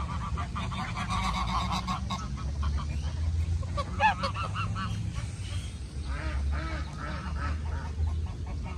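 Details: Ducks living alongside ducklings in Puebla, Mexico, 2020, amid the pandemic: scattered nasal quacks in short bursts, loudest near the middle and again toward the end, set against a constant deep background hum.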